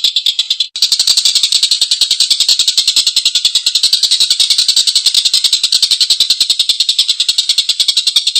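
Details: Collared kingfisher calling with a long, coarse laugh: a brief pause, then a dense, rapid run of scratchy notes, about three to four per second, continuing without a break.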